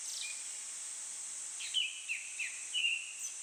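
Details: Thrush singing in hot satoyama woodland, temperature exceeding body heat: a run of four or five whistled notes, some dropping sharply, then a higher faint note, beneath a continuous high-pitched insect chorus.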